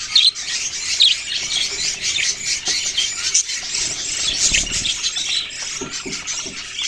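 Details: Budgerigars in steady chatter, squeaky chirps and squawks blending into a dense high twitter, joined by faint rustling sounds midway.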